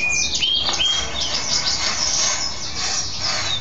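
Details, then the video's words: Caged male mule goldfinch, a goldfinch hybrid, singing after a bath; high twittering trills and sweeping whistled notes between about 3 and 7 kilohertz, with a steady whistle early on. "Mule Goldfinch happy hour"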